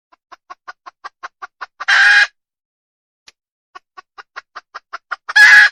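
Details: Wild junglefowl hen giving two bouts, each a quick run of about ten clucks that ends in a loud, harsh squawk. The bouts are separated by roughly three seconds of near silence.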